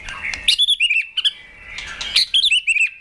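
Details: Caged white-rumped shama goaded into fighting song: two quick bursts of high chattering whistles and twitters separated by a short pause, with faint rustling.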